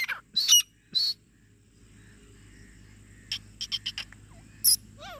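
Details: A female grey francolin calling non-stop in jungle gives loud, harsh squealing notes, then a quick run of four clipped, shrill notes over a low steady hum.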